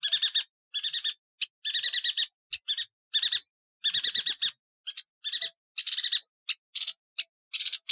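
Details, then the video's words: A yuhina sings sharp, piercing bursts of thin, high, buzzy twittering, each phrase about half a second long and repeated after brief pauses, with no other sounds. "Burung Yuhina - Tembakannya Nyelekittt Tajamm"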